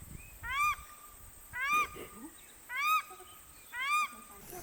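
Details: Just-hatched Paradise shelduck ducklings swimming on a lake in New Zealand's Maungakotukutuku Valley on their first afternoon afloat. Four loud, clean, arched peeps sound at roughly one-second intervals, with faint softer cheeping between them.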